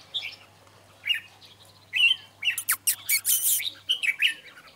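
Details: Red-whiskered bulbul singing in quiet surroundings: short bubbly warbled phrases spaced by pauses, then a dense burst of rich chattering notes, with a faint low hum beneath.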